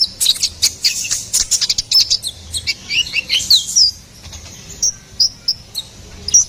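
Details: Ruby-cheeked sunbird in vigorous song: a fast jumble of high squeaky notes and trills, then sparser thin upslurred whistles spaced out near the end.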